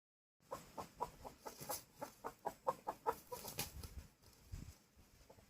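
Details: Rooster giving a quick run of short, sharp clucks, about a dozen evenly spaced pulses in three seconds, then trailing into softer, scattered clucks over faint background noise.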